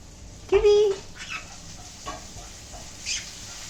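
A green-cheeked conure gives one steady, voice-like whistle lasting half a second, then a few soft, short chirps in a quiet room.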